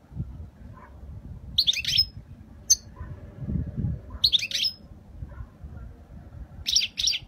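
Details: European goldfinch delivering a faultless Spanish-style song in 2020: clustered high, tinkling twitters and buzzy trills in bursts of about half a second, with short single chips between them over a soft low rumble.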